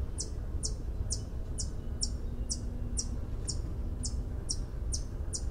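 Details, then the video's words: White-eared hummingbird, a bird of mountain pine-oak forests and clearings, repeats a high, metallic tink about twice a second in a steady run of a dozen notes over a low background rumble. "White-Eared Hummingbird"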